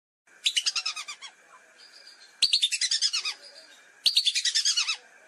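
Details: Lesser whistling ducks calling for a hunting lure: three distinct bursts of sharp, quickly repeated high whistles, roughly every one and a half seconds, with faint chatter between them.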